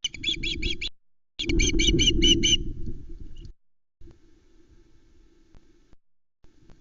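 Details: Ospreys at the Loch Arkaig nest, 19 July 2020, with three chicks present as the male brings a whole trout that chicks squabble over, give two bursts of high, whistled chirps, about three a second, over a steady low wind rumble.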